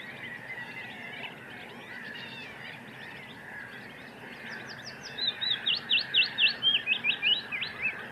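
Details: Lively wood warbler song: faint chirps from other birds, then a burst of sharp, high notes repeated faster and faster into a trill of roughly three seconds near the end.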